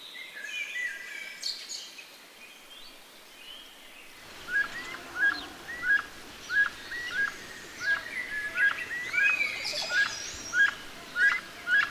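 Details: Grey-headed chachalaca calling in Costa Rica: short, squeaky mid-pitched notes repeated about every half second after a few seconds of quiet, over a steady background hiss of insects and other birds.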